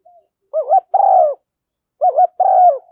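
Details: Spotted dove coos from a decoy recording used to make doves respond, in urging and calling styles: a wavering rising double note then a buzzy falling coo, repeated twice, about 1.5 seconds apart.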